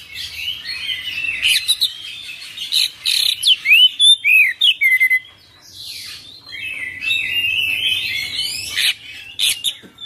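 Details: Rolling 'ngerol' song from an Oriental magpie-robin full of 'isian' material: scratchy warbles, then a run of clear looping whistles, a brief pause, and more rambling buzzy twitter with sharp accents.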